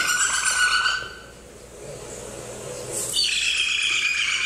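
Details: A captive parrot gives harsh, buzzy, high squawks with many bands, then a lower, softer voiced sound, the learned word "hi", followed by more loud screechy calls.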